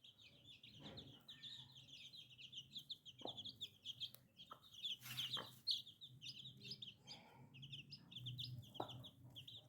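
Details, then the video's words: A crowd of chicks keeps up busy, shrill peeping. Scattered clicks and knocks are mixed in. "Chicken Free Sound || Funny Chicks baby"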